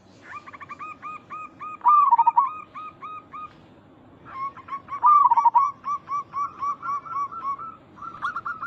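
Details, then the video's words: Local zebra doves calling to draw responses: two bouts of fast repeated short notes, each peaking in a loud wavering rolled coo, the second trailing into a long note series. "Perkutut lokal gacor Suara ini membuat Burung Perkutut langsung Nyaut cepat respon"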